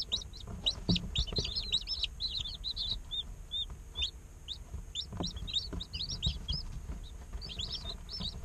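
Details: Chicken chicks one day old inside an incubator: a busy flurry of high arched peeps from several birds, some calls doubled, continuing throughout against low knocking and rustling.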